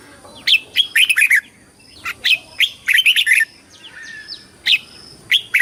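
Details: Song of a red-whiskered bulbul used for competition singing, calling the flock and voice training: repeated bright warbling phrases of quick chirped notes, several bursts close together, with faint thin squeaks between them.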